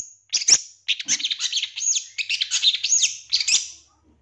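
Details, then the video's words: Long-tailed shrike song for luring a shrike into singing, a dense jumble of scratchy, squeaky and whistled notes delivered almost without break for about three seconds. "Langsung Nyaut Pancingan Suara Pentet Bahan Agar Cepat Bunyi & Emosi ~ CENDET JUARA 2023"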